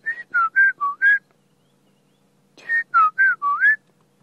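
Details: At sunrise on a cold July 20, 2016 morning in Sabi Sand, South Africa, a White-browed scrub robin sings in the dawn chorus: two quick phrases of five clear whistled notes, each sliding up or down.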